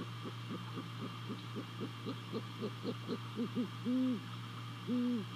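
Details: Great horned owl hooting at a nest in Savannah, picked up by a nest camera at 02:39 at night on 28 December 2020: a run of soft, low, quick notes, then several longer arched hoots, over a steady electrical hum.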